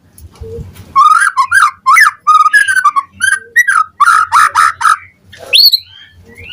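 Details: Morning lure song of a white-rumped shama. After a brief quiet start, rich mellow whistles and short chattering notes come in close bursts, ending on a rising whistled slur.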